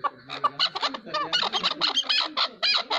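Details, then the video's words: Chukar partridge calling: a dense run of rapid, harsh, clucking chuck notes, roughly two per second, overlapping as if from several birds, over a low steady hum. "Chakor Partridge Voice | Chakor ki Awaz"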